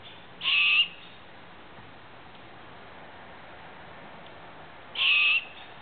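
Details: Owl at a campsite gives two brief, rasping, high-pitched screeches roughly four and a half seconds apart over a steady, quiet background hiss.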